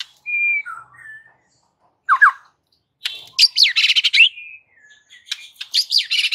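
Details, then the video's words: White-rumped shama in a caged setting, aggressive fighting song used as a training master: a few clean whistles and a quick double note, then dense swooping, buzzy warbling phrases in two loud bouts. "MASTERAN Murai Batu GACOR NGAMUK"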